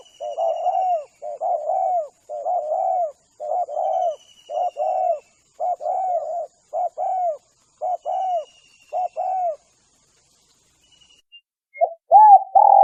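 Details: Dove lure sound for attracting spotted doves: a rapid run of short, rounded coo notes in close pairs, fading off, then a pause before louder coos return near the end.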